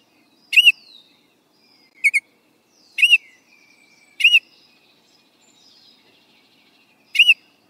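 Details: Baltimore Oriole giving short, loud, arched call notes, often doubled, at irregular gaps of about one to two seconds. Thin, faint whistles from other birds sound in the background.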